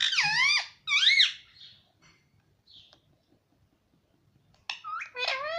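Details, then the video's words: Indian ringneck parakeet mimicking Hindi words indoors: two loud, swooping two-part utterances, then near silence with a soft squeak, then a rapid burst of higher, wavering syllables at the end. "mummy mummy bolta tota - talking parrot"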